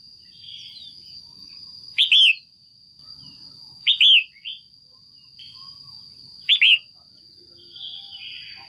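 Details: A caged female red-whiskered bulbul gives three loud, bright chirping calls about two seconds apart, used to stimulate males or for pairing, over a steady high electrical whine.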